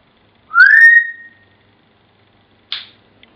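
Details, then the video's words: Indoor pet African grey parrot mimicking Pop Goes the Weasel: one long, pure whistle rising steadily, then after a gap a brief harsh higher note and a tiny click. "The African Grey - Pop Goes The Weasel"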